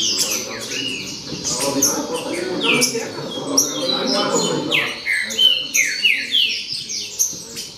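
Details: A clamor of green-winged saltators, sweeping downward whistled notes repeated roughly three times a second, the birds overlapping in a dense tangle, with a soft low rumble beneath during the first half.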